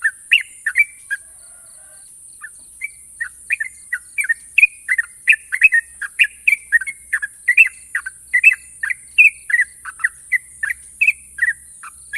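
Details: Champion sooty-headed bulbul sings a few notes, falls quiet briefly, then pours out long sharp trills, rapid chirping notes rising and falling for about eight seconds, with steady high hiss throughout.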